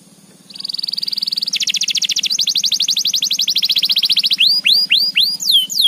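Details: Canary in full energetic gacor singing, used to spur other canaries into continuous song: a steady rapid trill of evenly repeated notes that steps higher, then loud swooping whistled notes sliding downward, with a faint low hum beneath.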